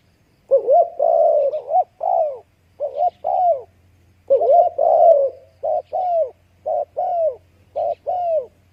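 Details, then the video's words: Spotted dove cooing: a rolling, drawn-out coo phrase, then another after a pause, followed by a series of short, clipped paired coos with small gaps. "spotted dove sound"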